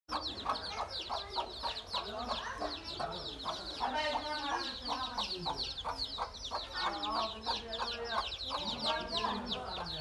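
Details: Hen with her baby chicks, recorded 13 January 2017: a dense chorus of rapid high chick peeps over the hen's low, soft clucks, continuous throughout with a steady background rumble.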